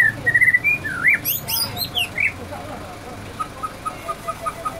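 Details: White-rumped shama mimicking a canary: a bright whistled phrase, then sharp wide sweeping notes, then a steady series of short identical chirps repeated about twice a second, over a low background hum.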